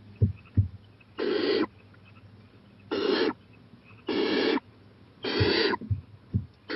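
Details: Owl late at night on a porch, 11:26 pm, 4-23-18, bolder and watching a playground; four grating hiss bursts about a second apart, mixed with short low thuds and taps.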